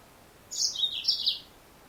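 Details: Single twittering phrase from a female Yellow-fronted canary, Serinus mozambicus: bright high notes stepping downward, then a second cluster of rising chirps, about one second in all, against a faint steady hiss.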